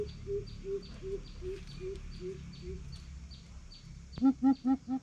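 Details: Greater coucal challenging a rival: a measured series of soft, deep hoots, followed by a sudden louder, lower burst of four rapid booming notes, while high-pitched insect chirps pulse steadily and a low hum persists.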